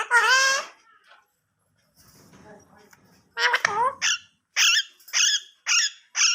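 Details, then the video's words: Parrot imitating Urdu/Hindi speech in a small room: one loud, drawn-out nasal word, a quiet gap, then a quick run of sharp, evenly spaced squawky syllables repeated about twice per second. "The Speaking Parrot Talking In Urdu/Hindi"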